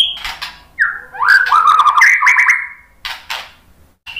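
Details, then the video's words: White-rumped shama lure song meant to set other birds singing: a sliding whistle, then a sustained warbled phrase of quick modulated notes, followed by faint short calls. "suara KICAUAN MURAI BATU bikin NYAUT ikut BUNYI jadi GACOR NGEPLONG ¦ PANCINGAN MURAI"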